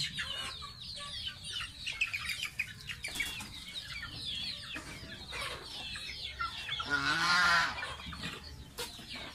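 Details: Baby pet domestic goose taking a bath, giving a steady stream of high, thin descending peeps, some overlapping, with splashing bursts near the start and a louder splash around seven seconds.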